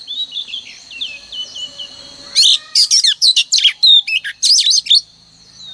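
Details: Song of a female oriental magpie-robin, a decoy for prompting males each morning: soft distant notes over a faint high hum, then a loud burst of quick whistles and buzzy chirps.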